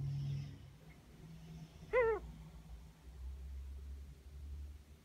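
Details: Almost one-year-old female pet Ringneck dove, healthy and alert, giving an unusual vocalization she has made more often in recent weeks: a single brief arched nasal note with rich overtones, about a quarter second long, amid quiet room hum.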